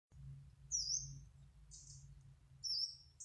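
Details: Yellow-browed warbler singing in its natural habitat: thin, very high slurred notes, each about a third of a second, roughly once a second over a low steady hum.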